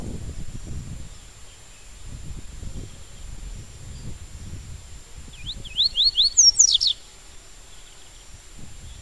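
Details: Double-collared seedeater singing in the 'tui tui' style. After several seconds of low rumbling background, a brief phrase of about five rising slurred whistles runs into quick, high, descending notes. A faint steady high tone persists throughout.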